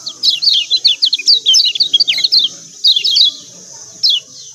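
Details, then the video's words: Yellow white-eye from Lombok, lure to stir reluctant singers: rapid run of high, sharply falling chirps, then spaced single notes, over a constant faint high-pitched hum. "CIAK CIAK JOSS KECIAL KUNING AMPUH||PANCINGAN KECIAL MALAS BUNYI||"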